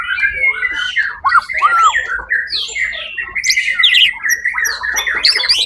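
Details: Contest-winning white-rumped shama, songbird competition on 1 October 2023: loud whistles with steep swoops and arcs, followed by high, buzzy and chattering notes in a fast, varied sequence.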